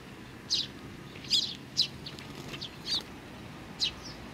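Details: Eurasian tree sparrows with little ones, 27 June 2019: a handful of spaced high chirps, one doubled, separated by brief pauses, with soft background noise.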